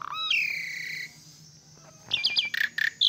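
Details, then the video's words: Asian pied starling in vigorous song: one long, bright whistled note held for nearly a second, a short pause, then a fast burst of harsh chattering and clipped whistles. "Jalak Suren Gacor"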